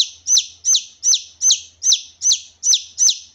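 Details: A wild red junglefowl chick, its calls used as a lure for wild junglefowl: loud, clear, high peeping notes with a sharp downward sweep, repeated steadily about every 0.4 seconds.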